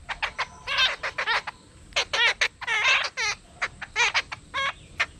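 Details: Jungle babblers (Argya striata) in the Konkan, India, give harsh, squeaky chattering notes in quick bursts, several birds seemingly calling together in a noisy, overlapping clamor.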